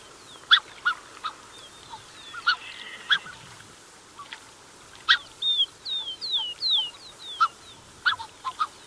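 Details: Close-up calls from a Black-necked Swan pair accompanied by cygnets: irregular clipped honks mixed with a run of high, thin, descending whistles in the middle, over a steady low hiss.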